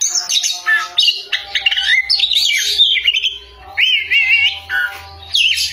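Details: Loud song of an Oriental magpie-robin, kacer: rich, rapid medley of whistles, buzzy chatters and wavering trills, phrases broken by brief pauses, a low hum faintly present.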